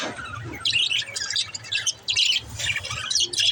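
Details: Pet budgies chirping to encourage lonely budgies: after a quiet moment, bursts of scratchy high chatter and squawky chirps, separated by short pauses, over a low steady hum.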